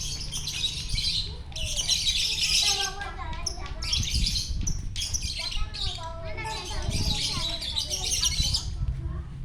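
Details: Lovebird in gacor song on a morning at Parahyangan Village, Jatihandap, Bandung, a champion singer. Long harsh, high-pitched chattering bursts come every second or two, mixed with lower curving whistles and a background rumble.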